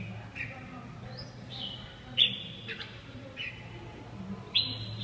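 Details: Red-whiskered bulbul giving short clear whistled notes about once a second, some rising and some level, two of them louder, over a steady low background hum.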